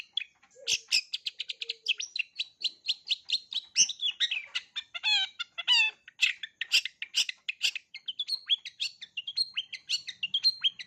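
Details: Cendet, the long-tailed shrike, in a full 'isian' repertoire meant for young birds to learn. Fast, continuous chattering runs with harsh rattles, rising and falling warbled phrases and squeaky notes go on without a break.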